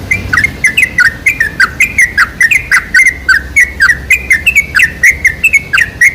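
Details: Lure song of the sooty-headed bulbul, meant to make other bulbuls sing: an unbroken stream of sharp, bubbly chirps that rise and fall, delivered quickly and evenly, loud against a faint low hum.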